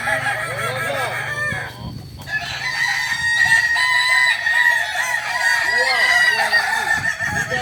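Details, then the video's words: Roosters of the Balenggek crowing breed training at Ampang Kualo, Solok; a brief pause, then a long sustained crow with steady harmonics, overlapped by arched syllables from other birds. "latihan ayam kukuak balenggek"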